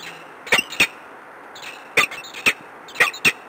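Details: Peregrine falcon at the Palace of Culture and Science in Warsaw, recorded 13 March 2015 late in the morning. Harsh, sharp notes come in pairs, about six in all, roughly every second or so, over a steady background hiss.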